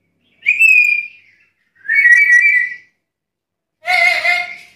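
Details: Chatty black-capped lory calling three times: a clear level whistle, a longer slightly buzzy whistle, then a harsher rasping note rich in overtones.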